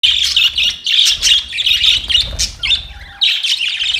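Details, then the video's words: Pet budgerigars at play, chirping continuously: dense, scratchy warbling chatter in quick bursts with brief pauses, several birds overlapping, plus a faint low rumble underneath. "Budgies chirping sounds and playing budgies"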